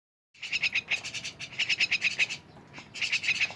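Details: Myna giving harsh, rattling chatter in rapid pulsed bursts, with a short pause near the end before another burst.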